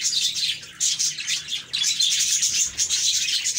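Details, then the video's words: Short burst of budgie chirping, overlapping bright twitters and warbled notes in a dense group chorus with two brief dips. "Budgies Chirping"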